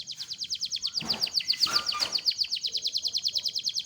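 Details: Loper-style canary delivering a long rolling song used as master training audio for songbirds: a fast, even trill of high down-slurred notes running throughout, with a few lower notes blending in near the middle.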